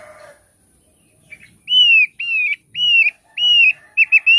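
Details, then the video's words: Thick-billed heleia singing a series of five clear, slightly arched whistled notes, each about a third of a second, evenly spaced, preceded by a short soft noise at the start. "Suara Opior Paruh Tebal"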